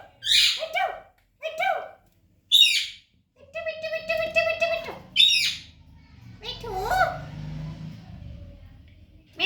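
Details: Talking baby parrot indoors giving squawky chirps and harmonic, speech-like repeated syllables, with some low background noise.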